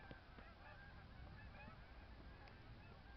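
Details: Far-off snow goose flock in Michigan, dense overlapping yelping honks running without pause, each note short and slightly rising, heard against steady low-frequency rumble.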